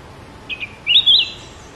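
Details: Sooty-headed bulbul: a pair of brief soft chirps, then a loud, fluid, rising-and-falling whistled phrase in two parts, over a quiet background.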